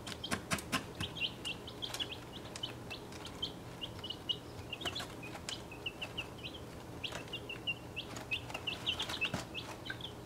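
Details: A brood of 1.5-week-old mixed-breed chicks crowded in a travel box: Welsummer, Crested Cream Legbar, Partridge Plymouth Rock, Australorp, Buckeye and Golden Laced Wyandotte. Continuous shrill peeping is mixed with frequent loud clicks and scratching on the box floor.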